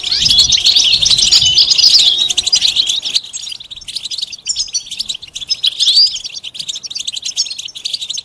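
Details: Goldfinch bitbita and sitsita calls, mating and readiness notes to stimulate a silent male: loud busy twittering for three seconds, then softer, sparser tinkling chirps with a brief louder warbled phrase.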